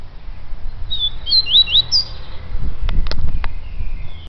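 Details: A yellow-bellied seedeater delivers a brisk phrase of high, looping whistled notes, followed by several sharp clicks and faint background chirping.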